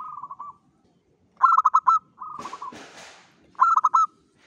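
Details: Dawn lure song from a local zebra dove: soft purring trills alternating with loud clipped bursts of quick coos, interrupted by a brief rush of rustling noise.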